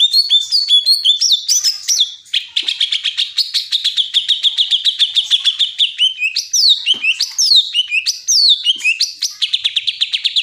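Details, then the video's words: Greater green leafbird (cucak ijo) in full song: quick rattling chirp trains held at one high pitch for several seconds, broken by falling and rising whistled phrases, in a clean recording. "Cucak ijo bikin pedes kuping"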